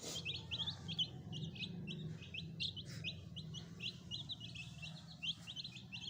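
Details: Young chicken chicks kept as pets give dense, overlapping high peeps, each short and slightly falling, in a steady stream over a constant low hum.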